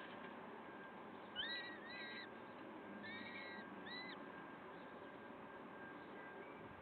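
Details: Peregrine falcon at a Wakefield nest, early morning of 5 May 2021 (06:55): a few short, wavy whistled calls with rising and falling bends, grouped in two clusters, over constant broadband hiss, then fading to faint notes.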